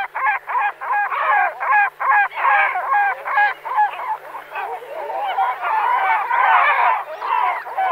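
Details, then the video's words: Great black-backed gull (Larus marinus) giving hoarse, honking calls, first in quick separate bursts and then in a longer run of harsh, laughing notes. "Goeland Marin - Great Black-Backed Gull - Larus Marinus"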